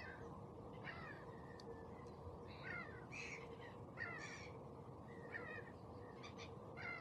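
Osprey giving short, sharp whistled chirps in loose bursts, a few every second or two, over a steady low hum and background noise.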